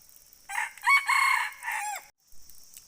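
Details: Red junglefowl crowing: a single loud, harsh crow of several linked syllables, rising then held, ending in a falling tail-off. A steady high insect drone fills the background.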